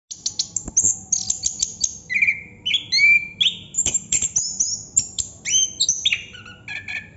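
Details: Chestnut-capped thrush (anis kembang) singing in the continuous 'ngerol' style: rapid varied phrases of high whistles, sharp downward-sweeping notes and buzzy trills, with clicking ticks between phrases and a few lower whistled notes.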